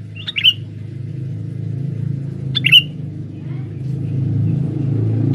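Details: Sooty-headed bulbul male kept as a forest lure for catching females, giving two quick chirps a couple of seconds apart, each a sharp click into a short warbled whistle, against loud low rumbling like passing traffic.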